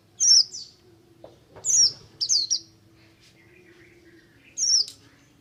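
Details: Oriental white-eye, a Buxtomi type, singing in ngalas style, used to stimulate other white-eyes to sing: four short high whistled notes sweeping downward, spaced irregularly with gaps between them, and a faint low steady hum behind.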